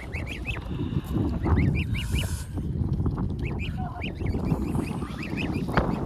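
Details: A goose protecting its goslings while being fed gives quick runs of four or five short, nasal, rising-falling honks and one brief breathy hiss, over a steady low rumble of wind.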